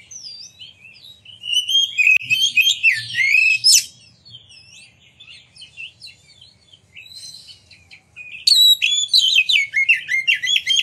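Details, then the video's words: Oriental magpie-robin singing to provoke rivals, with a burst of mixed whistles and squeaks, a quieter lull of soft notes, then a rapid series of repeated sharp chirps. "Pancingan Kacer Gacor Ngeplong Nembak! Buat Kacer Lain Ikut Buka Ekor Keluar Isian"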